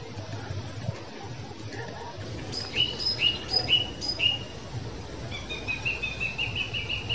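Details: European green woodpeckers recorded on 13 July 2020: a series of about seven ringing, evenly spaced notes, followed by a softer, quicker run of similar notes, over steady background hiss.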